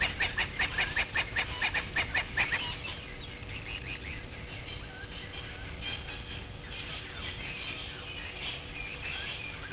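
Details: Blacksmith lapwing calling at a waterhole on Djuma Game Reserve, Sabi Sand Wildtuin, South Africa, 06:45, 03/02/21: a strong run of hard, ringing tink notes about five per second for two seconds, then fading to faint scattered clinks.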